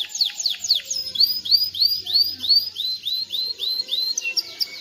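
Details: Canary song aimed at teaching chicks and preparing females for mating: a few steep falling sweeps, then a run of repeated rising-falling whistled slurs, about three per second, clear and high.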